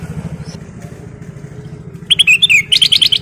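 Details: Kutilang emas, the black-crested bulbul, in full nyiul song: a sudden fast run of bright chirps and whistled notes near the end, after a stretch of low engine noise.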